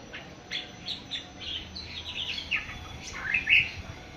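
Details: A young awar-awar, seven months old, starting to sing: soft, scattered high chirps and thin twittering notes, with a few brighter squeaky notes near the end over a quiet background.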